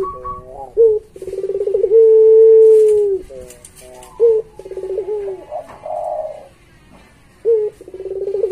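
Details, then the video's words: Barbary dove (puter pelung), a pet dove, in a tutor recording for training other doves: deep cooing with one long, steady drawn-out coo, plus shorter rolling, throbbing coos and brief stuttered notes. "Suara Masteran Puter Pelung Gacor Paling Bagus"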